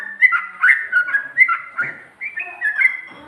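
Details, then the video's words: Sooty-headed bulbul singing in the ropel and ngikluk style with a garuda phrase: rapid, bubbly whistled notes, each dipping and rising, tumbling in quick uneven bursts with short pauses between phrases. "Burung Trucuk Ropel,ngikluk...ada ngGARUDAnya juga"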